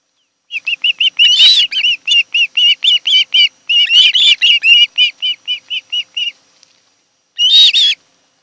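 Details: Mated osprey pair at a nest on Kent Island, Maryland, on a July afternoon; a long steady series of high, clipped whistled chirps, about three per second, broken by louder harsh squealing notes.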